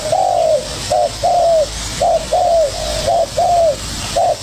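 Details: Spotted dove, a young bird fired up against a decoy. Clear low coos come in regular pairs, a short clipped note and then a longer note that dips at the end, repeating steadily.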